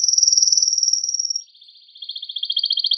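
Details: Strong song of a male canary aimed at stimulating mating in female and male canaries: a very high rapid trill, a brief gap, then a lower, buzzy, doubled trill of fast pulses.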